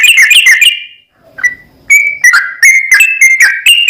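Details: Sooty-headed bulbul giving 'ropel panjang' song to provoke another bird: a fast chattering burst of high whistles, a second of quiet, then spaced whistled notes building back into a rapid series.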